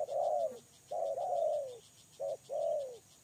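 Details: Lure-bird spotted dove calling close by: long, drawn-out, slightly falling coos with a brief clipped note between them, over a faint high pulsing insect background.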